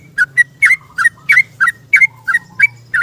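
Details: Morning yellow-vented bulbul in 'ropel' style, calling for a companion, played as a lure: paired whistled notes, one low and one higher, repeated about every third of a second over a steady low rumble.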